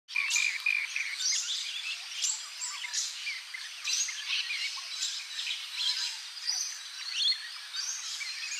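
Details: Wild rainbow bee-eater calling near Cairns, Australia: busy, overlapping short rolling chirps and trilled notes repeated throughout, several birds calling at once with dense high chatter and no low sounds.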